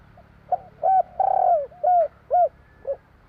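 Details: Spotted dove singing in the 'kuk 3' style: a short soft note, then a long rolling coo and several clear hooting coos of even pitch, a few per second, over a quiet low hum.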